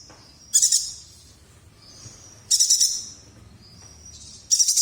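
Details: Chestnut-crested yuhina from Kalimantan in strong song, short high chattering bursts roughly every two seconds, separated by faint thin whistles.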